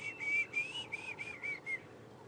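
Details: Diederik cuckoo, one of the smaller cuckoos, heard during an afternoon safari drive at Djuma and Arathusa on 26 November 2014. It gives a run of seven short, clear whistled notes at a steady pitch, spaced evenly over under two seconds.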